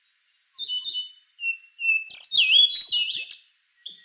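Rufous-brown Solitaire singing a varied, sweet phrase of clear high whistles, sliding notes and rapid bright trills over about three seconds.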